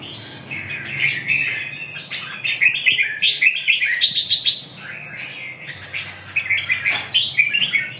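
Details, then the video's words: Red-whiskered bulbul singing: rich, bubbling, warbled phrases of varied whistled notes, rising and falling, delivered in quick bursts with brief pauses between. "Kênh về chim Chào mào"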